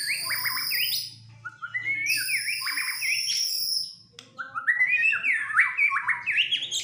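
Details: Agitated fighter white-rumped shama in full voice: rich whistled phrases of sliding, rising and dropping notes mixed with very high drawn-out whistles, pausing briefly between bursts, over a faint low hum.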